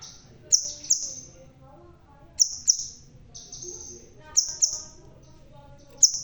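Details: A red-tailed crimson sunbird, balding but still singing eagerly, gives paired piercing high chips with thin buzzy tails. About four such pairs are spaced roughly every two seconds against a soft low murmur.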